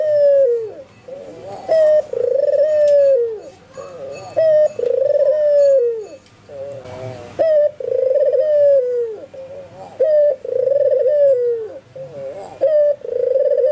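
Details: Albino white Barbary dove cooing steadily in full voice, nearby spotted and zebra doves reportedly joining in; repeated pairs of a brief bright coo and a drawn-out trilling coo falling at its close, about twenty-three per minute, with faint wavering coos between.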